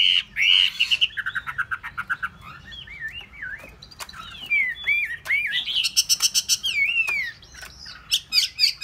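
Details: Rich song of a caged hwamei that has been sold: fast runs of repeated notes alternate with looping, wavering whistles and buzzy trills, delivered almost without pause.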